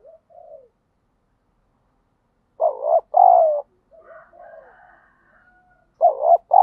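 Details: Spotted dove in daily decoy training, used to lure and provoke wild doves: soft opening notes, a loud two-part coo, murmured lower cooing, then the loud phrase starting again.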